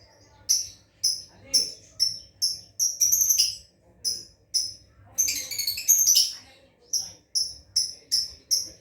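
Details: Lovebird practising ngekek chatter: sharp high chirps repeated roughly every half second, broken by two brief bursts of fast, rattling chatter.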